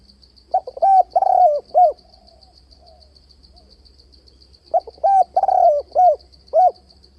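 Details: Spotted dove calling to lure rivals toward a trap decoy, changing voice with continuous low notes: two bursts of coos, short notes framing a long wavering coo, separated by a quiet gap, over a high rhythmic pulsing.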